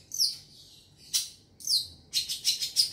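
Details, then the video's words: Lure recording of a young forest long-tailed shrike: high, downslurred whistled chirps with a sharp rasp, then a quick string of four scratchy notes. "Pancingan burung cendet muda hutan"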